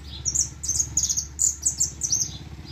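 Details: Hooded siskin song of rapid, thin, high chirps and twitters, closely spaced notes in irregular bursts, with a constant low electrical-sounding hum underneath.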